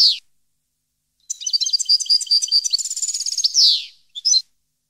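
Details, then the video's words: European goldfinch singing, 2015 recording: a brief buzzy downslurred note, a pause, then a lively run of quick liquid twitters and trills closing with a harsh falling buzz and a few more chirps. "Goldfinch song 2015/ Canto Jilguero Parva 2015"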